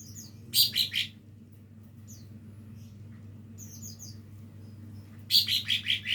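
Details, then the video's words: Lesser green leafbird learning its song: a burst of four loud rapid chirps, a stretch of faint scattered notes, then another loud chirping burst at the end. A low steady hum runs throughout. "cucak ijo mini belajar bunyi"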